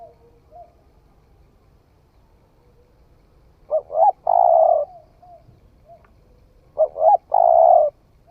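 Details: A newly calling spotted dove on a forest trial in Vietnam: after soft faint notes, two clear phrases of two short coos and one extended, throaty, rolling note, three seconds apart.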